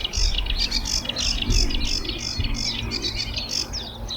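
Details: Sedge warbler singing at Rainham Marshes nature reserve, pouring out a fast, scratchy chatter of harsh churrs and sweet high notes, with steady low rumbling wind underneath.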